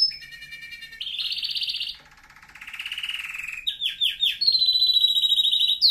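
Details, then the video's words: Canary song for training young canaries: a low rattling trill, a higher rapid trill, soft descending rolled notes, then quick downward-sweeping whistles and a bright sustained trill. "canary singing video | the best canary training song"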